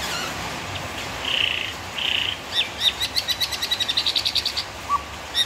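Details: Murai batu singing a tutor-style phrase: two steady buzzy notes held about half a second each, followed by a quick, evenly spaced string of high sharp notes and a final chip.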